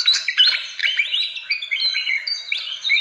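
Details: Fantail calls from a lure recording for attracting birds: busy, squeaky chirps and short whistled slurs, many rising or falling, packed tightly over three seconds with no other sounds.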